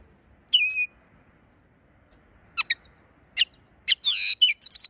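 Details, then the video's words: Linnet singing a slurred whistle, a few isolated sharp chirps, then a quickening burst of buzzy twittering and rapid high notes at the close. "Song of linnet_peryasi suara burung linnet"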